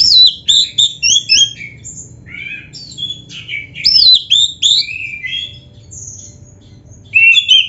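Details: Black-breasted Oriental magpie-robin in full, varied song with imitated phrases: jumbled high whistles, sliding slurs and short trills in closely packed phrases, a long thin whistle near six seconds, ending in loud rising notes, low hum behind.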